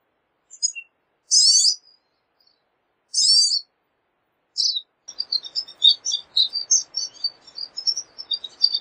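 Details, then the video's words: Pine siskin sounding two harsh, rising buzzy notes spaced about two seconds apart and a shorter third, then a long run of fast, high twittering over faint background hiss. "Pine Siskin Song! Call! Sound! Singing! Chirp!"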